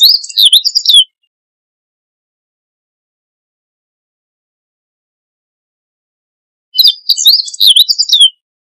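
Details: Siberian bunting: two bursts of high, rapid twittering song, each about a second long with quick down-slurred notes, separated by a long silence of nearly six seconds; no other sounds.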